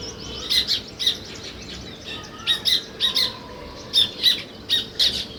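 Sparrows chirp in short, harsh bursts, several quick notes every half second or so, with a faint hum in the background.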